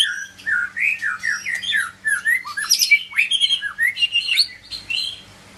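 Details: White-rumped shama of the Medan type, giving a lively sequence of descending whistled slurs followed by chattering, high squeaky notes and sharp sweeps over a faint hum.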